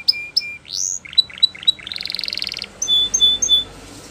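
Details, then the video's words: Canary labelled Belgian canary but described as a Russian canary, giving training-style flute singing: high paired whistles, a rising swoop, quick repeated notes, a fast rattling trill, then clear flute-like whistles. "Russian Canary Flute Singing"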